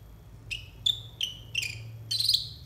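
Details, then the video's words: Konin song meant to train young konin: five short descending whistled notes spaced about half a second apart, the last a longer warbled phrase, over a soft low hum. "TERAPI AMPUH UNTUK BURUNG KONIN 100% COCOK BUAT MASTERAN KONIN BAHAN"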